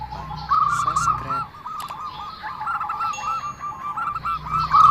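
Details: Zebra dove with an unusual voice, uttering a long, wavering series of quick cooing notes that rise and fall slightly in pitch, slightly hoarse, over low background rumble.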